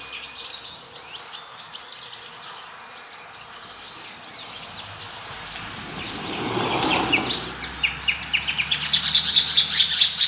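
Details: Grey-breasted parakeets (Pyrrhura griseipectus) recorded while mating; a dense chatter of high, rapid chirps and squeaks, growing into louder repeated harsh pulses near the end, over steady background hiss and a constant high tone.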